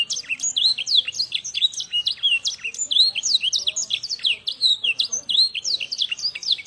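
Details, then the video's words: A young Yorkshire canary, trained with blackthroat song as its tutor, delivers a continuous stream of sharp, high, falling chirps in fast irregular bursts. "Young Canary Singing Blackthroat Song (AF of Yorkshire Canary)"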